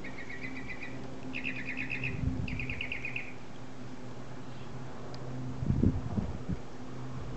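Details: Bird in a tree, calling as it does twice daily with a varying call: three short, fast, high trills in quick succession, followed by quiet and then a few low knocking sounds, with steady background hum.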